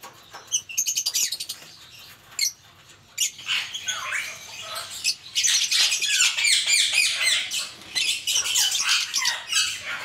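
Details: Talking Indian ringneck parakeets kept as pets, in an angry mood, screeching: loud, harsh, high squawks, sparse at first, then dense, overlapping and nearly continuous for the second half.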